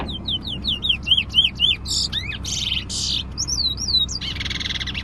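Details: Singing bullfinch at a bird competition near Preysal: rapid series of slurred, rising-then-falling whistles at high pitch, interrupted by harsh buzzy bursts, then more looping whistled notes and a scratchy ending.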